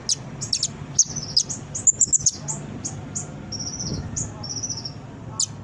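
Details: Song of a brown-throated sunbird played to coax birds to answer and sing; scattered high sharp chirps, then a few thin drawn-out high notes, over faint background murmur.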